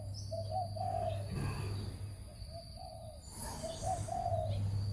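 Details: Spotted dove, linked to decoy trapping, giving soft, low coos in short groups of two or three notes. The groups repeat over a steady background hum.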